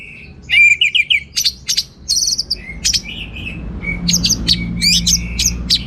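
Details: Orange-headed thrush in busy, varied song: quick twittering whistles and sharp high chips in tight clusters, with short pauses between bursts and a low background hum.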